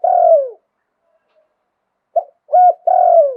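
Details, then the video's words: Spotted dove with a wild voice giving luk tan style cooing: a drawn-out falling croon ends one phrase, then after a silence a new phrase starts with a clipped note, a hollow coo and another long descending croon. "หลิ่วตัน มงคล ขันโยนเพราะๆเสียงป่า"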